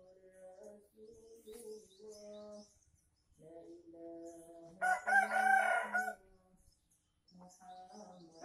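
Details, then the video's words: Lure crow of a junglefowl in Aceh, Indonesia: one hoarse, rough crow lasting about a second, preceded and followed by steady low tonal peeps repeated several times a second. "Ayam Hutan Aceh # Pikat"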